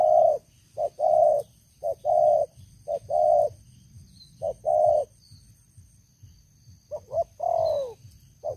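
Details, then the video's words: Spotted dove kept as a long-used lure bird, calling in low husky coos, short notes paired with longer ones, a brief pause midway, then a final longer downward-sliding coo. "Terkukur Pikat Lama, Selalu ok Suara besar"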